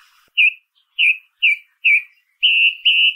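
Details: Song thrush song built from a run of similar short whistled notes, evenly spaced, then two longer steady whistles at the close. Clean recording with no other sounds.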